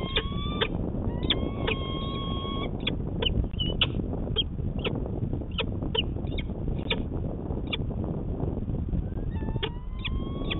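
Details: Peregrine falcons courting at morning in Manchester, New Hampshire, 25 March 2020: drawn-out nasal wails open and close the passage, with scattered short sharp chips between, over a steady urban traffic rumble.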